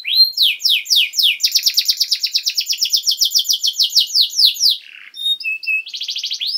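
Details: Canary song intended to train young birds: quick descending sweeps turning into a long buzzy trill, a brief pause, then flat whistled notes and a rattling burst.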